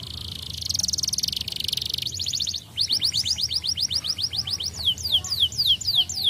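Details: Canary song for stimulating other canaries: a buzzy high trill followed by a long rapid series of clear falling whistled notes that slow toward the end.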